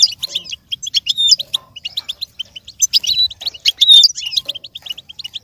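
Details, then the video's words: Goldfinch song meant for goldfinches to learn and imitate: fast, bright twittering with clipped chirps and a few drawn-out whistled notes, in two lively phrases separated by a short lull. "With stimulation for the goldfinch to learn and imitate sounds"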